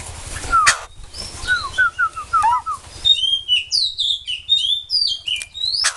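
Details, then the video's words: White-crested laughingthrush song: a run of short, slurred whistles stepping downward, then a rapid burst of high, squeaky chirps and rising notes, with a faint low hum underneath. "Khứu đầu bạc hót cực hay"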